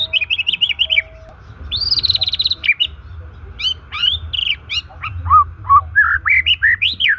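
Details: White-rumped shama singing, a natural song for luring or stimulating stalled, stressed shamas: varied phrases of clear whistles, rapid warbled trills and sweeping upslurred and downslurred notes, over a low steady hum.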